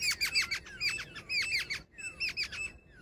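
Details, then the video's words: Female jungle babbler calling in a fast run of harsh, squawking notes, with a short gap after which the grating chatter picks up again alongside a thin, steady whistle. "Jungle babbler sound effect | babbler bird Sound Grey | female babbler ki video"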